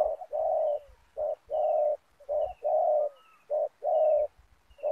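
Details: Decoy spotted dove luring wild doves at a ground snare-net site: regular hoarse coos in pairs of short and long notes, with faint thin high whistles from another bird in the background.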